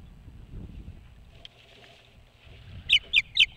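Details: Osprey at its nest atop a boat house across the water from Hog Island, Maine: after low rumbling and knocks, four loud, sharp whistled chirps ring out in quick succession near the end.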